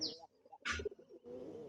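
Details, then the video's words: Domestic pigeons kept at a village home, with chicks and a bird sitting on an egg in the loft, fly in and out and squabble. They give low, throaty cooing with a brief chirp, near a man's voice. "কবুতরের এক বাঘ বাঘুম ডাক শুনতে পাচ্ছেন মনে হয়।"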